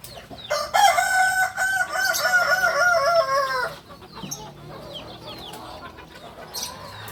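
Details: A Kukuak balenggek rooster from Solok, West Sumatra, crows long and loud for about three seconds, a harmonic call with several stepped, held tones, followed by quieter chirping birds.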